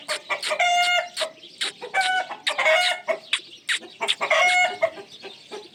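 A ringneck parrot gives a run of harsh, scratchy squawks mixed with brief nasal, tonal notes, irregular and about every second or two.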